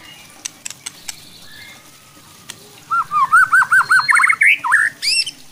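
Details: White-rumped shama (murai batu) song used to goad other shamas: after scattered clicks, a rapid series of looping warbled notes rising in pitch, then a couple of sharp high whistles, over low background noise.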